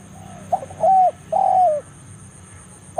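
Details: Spotted dove heard in the forest, calling a rival as a trapping lure; one phrase: a soft lead-in, a clipped note, then two drawn-out mellow coos sagging at their ends, over a faint steady high hum.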